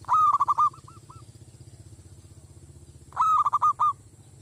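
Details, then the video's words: Village zebra dove calling as a lure for wild forest doves, making them aggressive. Two bursts about three seconds apart, each of loud staccato coos tapering into softer notes, with a constant low hum. "merbok kampung tepau pikat kutut hutan jadi garang"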